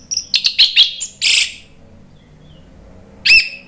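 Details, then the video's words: Caged red-billed malkoha song from Indonesia, played to prompt a quiet bird to sing: a rapid string of high, harsh chipping notes and a buzzy burst, a long pause, then one ringing downslurred whistle. "ANIS MERAH NGEPLONG GACOR"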